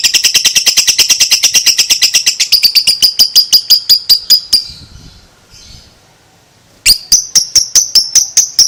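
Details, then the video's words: Long ngekek chattering song of a two-month-old lovebird: a steady train of high sharp notes that slows slightly toward the end, breaks off into near silence, then resumes briefly. "LOVEBIRD ini sekali BUNYI, Lovebird 2 Bulan gak BAKALAN DIAM, Langsung NYAUT NGEKEK"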